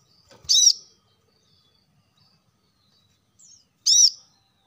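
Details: Plain-throated sunbird lure recording meant to spur caged birds to sing: two loud, shrill, arched chirps about three seconds apart, a faint short note just before the second, otherwise near silence.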